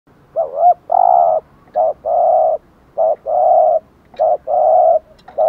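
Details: Spotted dove cooing as a lure for wild doves, in the 'thúc gù' and 'gáy gọi' styles: loud, low, hollow coos in short doublets, each followed by a longer drawn-out coo, repeated steadily about once a second.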